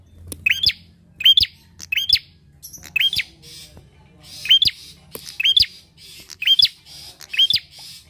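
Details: Energetic bar-winged prinia, its recording meant as a lure to prompt other birds to sing, repeats about ten sharp, high, hooked chips, each less than a second apart, over a low background hum.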